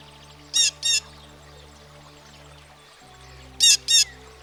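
A Blue Jay gives harsh, scratchy jeer calls in two quick pairs about three seconds apart, over a faint low steady hum.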